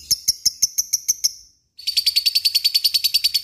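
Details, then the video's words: Lovebird kept as a fighter, opening with a series of spaced high chirps, falling silent briefly, then breaking into a fast, continuous chattering trill. "Ngekek panjang LOVEBIRD"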